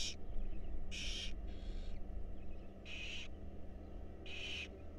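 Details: Wild barn owl chicks being fed in a monitored nest box, broadband hissing screeches in uneven bursts, one fainter and longer, with quiet gaps between, over a continuous low hum.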